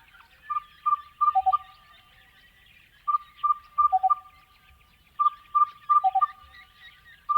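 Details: Crested bellbird singing in the Australian outback: rich ringing notes in quick groups of four, each phrase ending with one or two deeper cow-bell-like notes. Phrases repeat about every two seconds over faint chirping of other birds.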